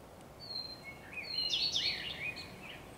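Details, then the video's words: Common Redstart on 12 May 2023 with a blackbird: a thin high note, then a dense jumble of high twittering and lower fluty warbling overlapping in the second half. "Śpiew pleszki"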